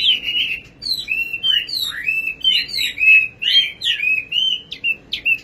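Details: Nightingale delivering a continuous, rich song of clear whistled notes that swoop up and down, tightly packed and loud, with no other sounds.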